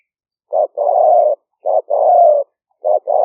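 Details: Wild spotted dove cooing in rainy-season rice paddies near Tao Lek, Roi Et, Thailand, recorded in 2021 by smartphone as a trapping decoy in the liu fueang style: three phrases, each a clipped note then a long hollow coo, about one per second.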